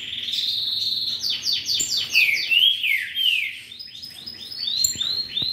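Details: Ultramarine grosbeak (azulão) singing a fast, varied warble of sweeping whistled notes and rapid chirps, with rising and falling slurs and a short trill near the end, in a quiet setting.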